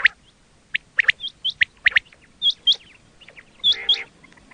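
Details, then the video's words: Batair, the quail, calling for hunters: scattered bright whistled chirps, some rising in pitch, then two harsher grating notes near the end. "quail 2024 Fresh sound Batair Ki awaz"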